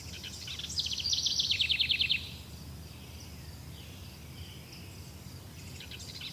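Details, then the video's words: Forest bird song: a rapid, rattling trill of repeated high notes for just over a second, then faint distant calls later, all against a steady noisy background. "Birds singing in Forest"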